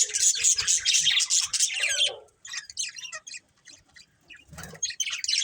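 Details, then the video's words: Chirping pet budgerigars from a family group: a rapid run of bright squeaky notes for two seconds, a short silence, then scattered twitters and a harsh burst toward the end. "Cute Budgies Chirping Sounds"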